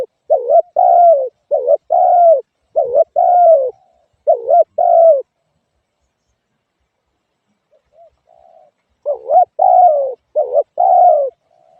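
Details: Repeated spotted dove coos, short rising-falling notes linked to longer sliding ones. Several phrases come close together, then a long gap with soft murmuring before cooing resumes.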